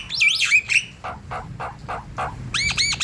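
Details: Javan myna singing as a lure for other birds: a twisting, warbled whistle opens, then a row of short, hoarse chucks and a quick series of looping, upward-swept whistles.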